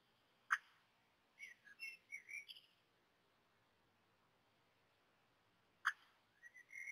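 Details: Common blackbird nestlings being fed at the nest, hesitant at early feedings: two sharp clicks separated by a run of thin, wavering squeaky whistles, with quiet gaps between.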